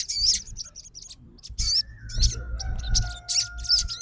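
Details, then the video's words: Sogon fighter bird singing in immediate response to another sogon's song: bursts of high, twisting whistled notes come in short clusters, and a steady faint tone runs underneath from the middle onward. "SOGON FIGHTER LANGSUNG RESPON DENGAR SUARA SOGON GACOR"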